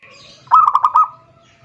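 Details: Zebra dove calling a rival: one brief burst of five fast, clear, bubbling notes, rising slightly then trailing off into quiet.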